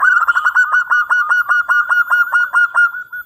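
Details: Local zebra dove with a big voice, singing steadily as a lure to draw an answer: one long, unbroken purring coo of fast, regular pulses lasting over three seconds, clean and close.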